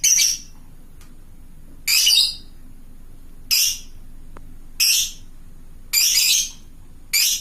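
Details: Fighter lovebird calling to companions with long ngekek chatter: loud, rasping, high screeches, each about half a second, separated by gaps of one to one and a half seconds of near silence.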